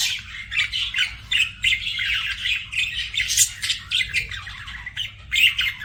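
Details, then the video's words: Pet budgerigars chirping: continuous busy warbling chatter of squeaky, scratchy notes and quick chirps, several birds overlapping, over a steady low hum. "BUDGIE CHIRPING SOUNDS"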